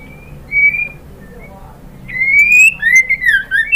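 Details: Female white-rumped shama calling the male as a lure. A short level whistle is followed later by a long rising whistle and a fast run of wavering notes with clicks.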